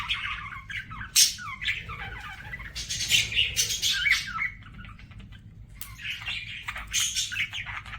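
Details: Pet budgies sing in a softer, looser chatter of squeaks and scratchy chirps, with one sharp loud note early and a quieter middle stretch.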